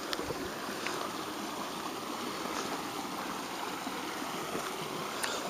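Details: Constant rushing of flowing water fills the recording, with a few faint clicks and no clear animal calls heard.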